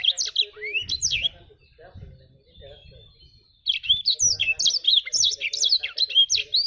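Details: A jabrig black-throated canary gives rapid, sharp high chirps and slurred whistles, pausing for a couple of seconds while faint voices and other soft sounds come through, then resuming a busy twittering phrase.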